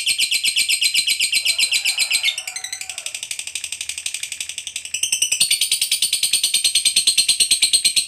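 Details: Lovebird fighter in ngekek panjang style, a long trill used as a lure to make other lovebirds answer: rapid, high buzzy pulses run on for eight seconds, dipping briefly near the third second, then resuming louder and steady.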